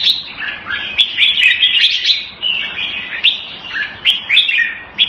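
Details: Continuous lively song from a hobby-kept jambul, or red-whiskered bulbul: rapid fluty warbles and slurred whistles strung together almost without a break, punctuated by faint clicks.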